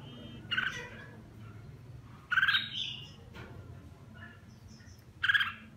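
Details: While bathing, a red-whiskered bulbul (má lỡ cheek, mào lân crest) sings three separated loud chirpy warbled bursts spaced about two seconds apart, with a faint low hum behind.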